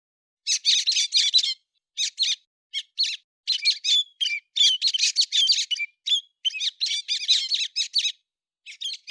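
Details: A héc xoan bird in September 2020, giving a busy stream of high chirps, squawky notes and short twitters in uneven clusters, with small gaps between; nothing else audible.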